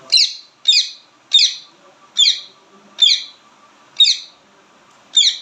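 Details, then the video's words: Loud ringneck parakeet calls: seven short, harsh, buzzy squawks, evenly spaced roughly every three quarters of a second, with silence between them and a faint low hum behind. "पहाड़ी तोता बोलने बाला🦜 ringneck parrot/natural talk sound"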